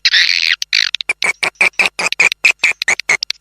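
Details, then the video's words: Lure call of swiftlets for bird nest houses, the SP Naga Merah: opens with two harsh buzzy squawks, then a string of short sharp chirps repeated roughly every fifth of a second. "suara panggil walet ⭐ SP NAGA MERAH"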